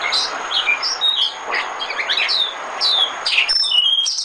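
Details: White-eye decoy song used to lure birds for trapping: a rapid, high twittering stream of short chirps and downslurred whistles, varied and nearly continuous, with light background hiss.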